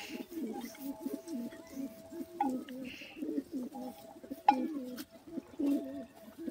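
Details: Continuous low pigeon cooing, overlapping rolling phrases from several birds throughout, with a faint steady tone and a couple of sharp clicks in the background.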